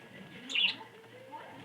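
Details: A budgerigar eating green leaves in the morning gives one brief, bright chirp against a faint background hiss.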